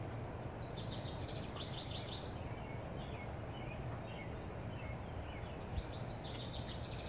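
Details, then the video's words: Several songbirds sing in the morning in the U.S., trading quick high chirps and short trilled phrases every second or so over a steady low rumble of distant traffic or wind. "Morning birds singing"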